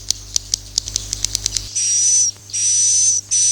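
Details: Swiftlet in the "Akau ngaji" style: a quick run of sharp, dry clicks, then long hissy buzzing notes with a thin steady whistle running through them, broken by short pauses.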